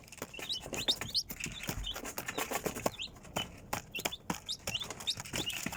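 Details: Chicks giving scattered high, short cheeps in small bursts, mixed with loud tapping, knocking and scratching sounds, louder in places than the calls.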